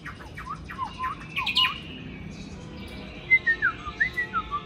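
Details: Tame Chinese hwamei trained for fighting, in Hanoi on a blustery cold day: a jumble of slurred whistles, then a clean sequence of about seven descending whistled notes evenly spaced, wind noise throughout.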